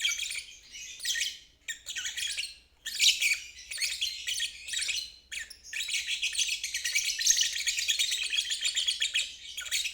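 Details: Lovebird 'ngeriwik' trilling, used as therapy so stalled or young birds learn the sound. Several short harsh chatter bursts with pauses give way to a long unbroken buzzy trill over the last four seconds.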